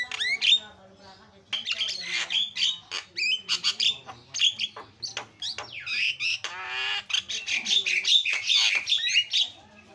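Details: Javan myna used as a lure to prompt a caged myna that has gone quiet to sing. Dense, harsh chattering squawks mix with sharp whistled notes in rapid, irregular bursts, with only brief pauses.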